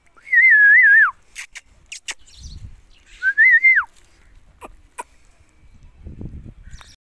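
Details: Indian ringneck parrot producing two drawn-out warbling whistles that waver up and down before dropping at the end, the first long, the second shorter, with tapping, clicks and low rumbling noises between them.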